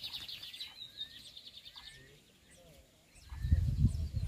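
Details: Lined seedeater kept by a Brazilian breeder, giving a quick, bright trilled phrase at the outset, then quiet, ending in a low rumbling noise.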